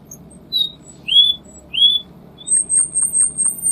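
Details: Cuban bullfinch, dense 'tembakan rapat' tutoring song: a few short upslurred whistles, then a thin, very high sustained trill with faint clicks below, against a steady low hum.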